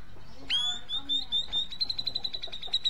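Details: Grey-cheeked bulbul singing as if seeking a karaoke partner: a sharp upswept whistle settles into a long, steady high note, which breaks into a fast run of short repeated pips toward the end.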